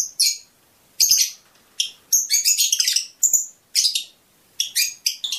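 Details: Fischer's lovebird giving bursts of piercing high chirps and short trills separated by silent pauses, a song meant to stimulate mating.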